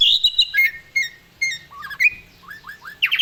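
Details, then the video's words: Asian pied starling singing vigorously as a master and lure for reluctant birds: short clear whistles and chirps alternate with pauses, ending in a quick series of rising slurred notes and a bright upward whistle. "JALAK SUREN GACOR FULL ISIAN SANGAT AMPUH UNTUK MASTERAN dan PANCINGAN JALAK MALAS BUNYI"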